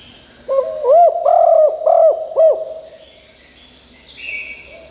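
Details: Spotted dove kept as a decoy, calling strongly to lure wild doves: one clear phrase of five hollow, rising-then-falling coos, followed by quieter background with a steady high-pitched whine.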